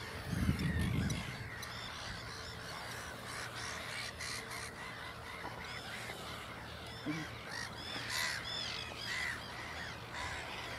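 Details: At Ottersaat, Texel, in the Netherlands, a black-headed gull walks away from its chicks, which trail after it. A loud thump opens, then many rasping, down-curving cries overlap in a busy chorus over low hum.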